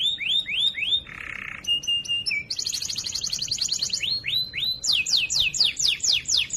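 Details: Loud, clear canary song for training other canaries: rising whistles, a harsh buzz, flat held tones, a fast high trill, then repeated rising slurs and descending sweeps.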